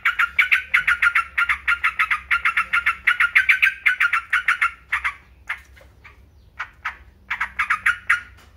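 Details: Trucukan, the yellow-vented bulbul, singing in captivity: rapid chattering bubbly run for five seconds, then a few scattered single notes, then the chatter resumes.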